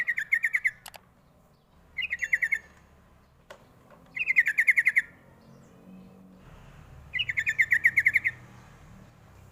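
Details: Sooty-headed bulbul lure call for drawing replies from young birds: four fast chattering bursts of sharp, ringing notes, each burst about a second long and gently descending, separated by short pauses, with a couple of faint clicks.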